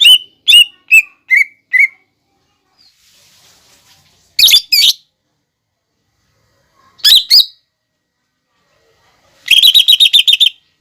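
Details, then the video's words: Lesser green leafbird masteran song for teaching birds fighting sparrow, lovebird and hummingbird phrases: a descending series of sharp notes, scattered squeaks, then a closing burst of rapid chatter. "MASTERAN CUCAK IJO GACOR BONGKAR ISIAN GEREJA TARUNG,LOVEBIRD,KOLIBRI"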